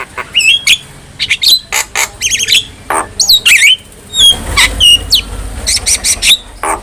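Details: Javan myna tutor song for training other mynas: a busy mix of short whistles, squeaky slurs and harsh squawks. A faint low hum runs beneath the calls in the second half.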